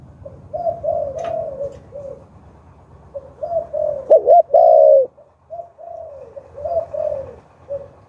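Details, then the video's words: Decoy spotted dove with a Hạp Bổi voice, calling to lure wild doves: gentle strings of soft coos around one loud, clipped double coo, over a noticeable low background hiss and rumble. "Chim Cu Gáy Giọng Hạp Bổi - Kích Là Gáy 100% -Tiếng Cu Gáy Kích Mồi"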